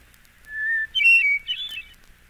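Hermit Thrush song: a long, pure whistled opening note, then a higher, ringing flute-like flourish that spirals upward and fades.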